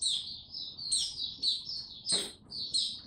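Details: Mata puteh, the Malay name for white-eye, a male warming up slow and steady on 6 March 2022 before opening into song. Dense, high, sweet twittering with bright bursts of chirps, plus one brief click.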